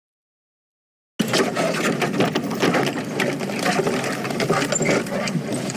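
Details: After a second of silence, a steady mechanical rattling and clatter continues, with faint voices and no animal calls.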